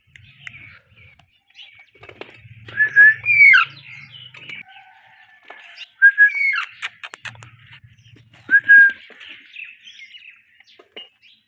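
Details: A pet pair of Indian ringneck parakeets chirps in three bursts of sharp, twisting whistled notes, with clicks and a low hum between the bursts.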